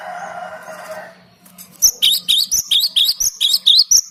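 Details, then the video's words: Cinereous tit song meant for luring birds: after a second of muffled background noise, a steady series of about ten bright, high, upturned whistles repeats quickly to the end. "Suara Gelatik Batu ini Ampuh buat Pikat"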